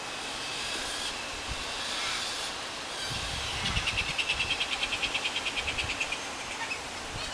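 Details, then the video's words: Two baby galahs being fed by their mother: after a hissy start, a rapid series of harsh rasping begging pulses, about three per second for three seconds, then tailing off, over steady background hiss. "Baby galahs being fed"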